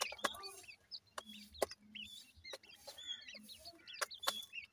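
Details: Grey francolin chicks calling their mother: thin, high peeping notes, many slurred upward or wavering, given in quick overlapping bursts among sharp clicks and knocks.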